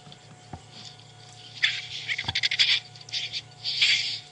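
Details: White-backed Vulture's nasty hiss played back quietly on an evening safari drive in Africa: harsh, breathy hisses in short rasping bursts over a steady low hum.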